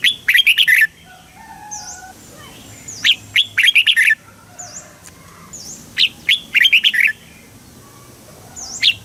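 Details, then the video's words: Red-whiskered bulbul from Thailand in southern master-style song, played to excite caged birds and teach young ones. Three loud bursts of quick, slurred, warbling notes, then a single short note near the end, with faint thin high whistles between. "เสียงนกกรงหัวจุก ร้อง ริก เปิดให้นกฟัง ยั่วให้นกคึกจัด"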